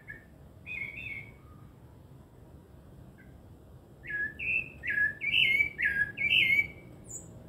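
Rufous-bellied thrush singing a clear, fluty song of short warbled phrases, a brief opening then a run of rich whistled notes every half second, with a thin high note closing.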